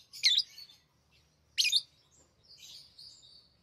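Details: Pet lovebirds, tamed and playing with rings, make two loud harsh squeaky chirps about a second and a half apart, then a thinner drawn-out twittering note, over a faint low indoor rumble.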